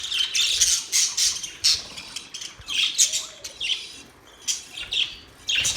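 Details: Budgerigars chirping and singing; bursts of harsh, scratchy chatter and high squawks come in clusters separated by short pauses, with several birds calling over one another.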